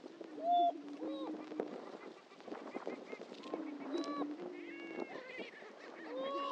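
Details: Greater prairie-chickens at a historic lek on Dunn Ranch Prairie, Hatfield, Missouri: several birds give low, steady moaning hoots that overlap in a continuous drone, broken by rising whoops and short cackling notes.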